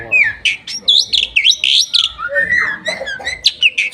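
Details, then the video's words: Bali myna singing while perched on its owner's hand in Bali, 2023, pouring out a dense jumble of whistles, upslurred and downslurred squeaks and chirps, repeated several times a second. "Burung Unik Berkicau di Tangan Pemiliknya - Burung Hiasan Di Bali 2023 Burung Jalak Nusa Bali"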